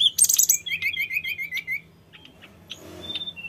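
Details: Sooty-headed bulbul from the mountains, singing constantly as a lure to draw replies from newly kept bulbuls: loud bright chirps, then a fast run of repeated short whistled notes, fading to scattered soft chips and faint hiss.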